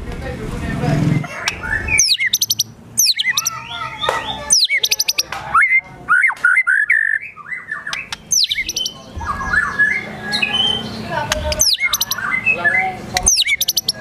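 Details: White-rumped shama singing agitated gacor emosi with imitations of besetan, tembakan, sogon and kunti: dense varied phrases of sharp down-swept notes, chattering bursts and warbles separated by short gaps.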